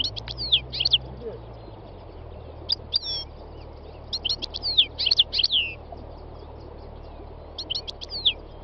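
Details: Wild European goldfinch song: tinkling, twittering bursts of rapid high chips and trills, several phrases separated by short gaps, against a steady hiss and a low hum.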